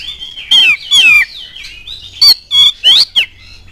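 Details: Oriental magpie-robin song used to provoke other birds into singing: loud descending whistled slurs and harsh buzzy notes in quick succession, mostly high-pitched.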